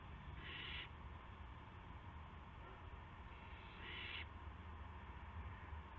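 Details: Owl recorded on a live camera at 8:00 PM on March 18, 2016, during delivery of a gopher to its partner; two rasping, breathy hisses roughly three seconds apart, with constant low background hum.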